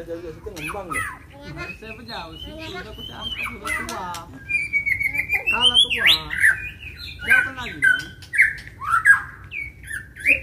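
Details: White-rumped shama provoked to fight. Lower, harmonically layered notes come first, then bright, sharp whistles and chirps that rise and fall in quick succession, growing louder and more insistent toward the end.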